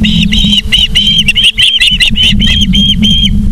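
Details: Osprey calling at the nest, Charlo, Montana, late afternoon of 24 August 2023: an almost unbroken string of loud, high whistled notes, about three per second, with a steady low hum underneath.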